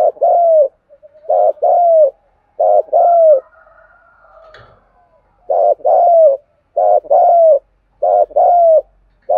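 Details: Lure calling of a Đồng Nai spotted dove in Vietnam: a long run of low coo pairs, a buzzy short note then a drawn, falling coo, with a soft murmur mid-way before the pairs resume.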